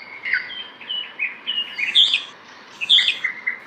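A red-whiskered bulbul gives a quick run of bright, liquid chirps and short warbled notes, about one a second, rising and falling in pitch over a faint background hiss.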